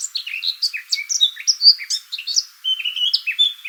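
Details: Rich and musical warbling of a Eurasian blackcap beneath trees on a West Sussex footpath: fast jumbled phrases of sweet whistled and scratchy notes, one bright high note near the middle, a short pause, then more warbling.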